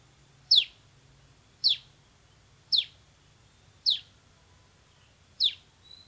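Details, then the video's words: Bar-winged prinia (ciblek semi) repeats single sharp, high, downslurred chirps roughly every second, five in all, against a quiet background. "MASTERAN CIBLEK SEMI GACOR VOLUME TEMBUS"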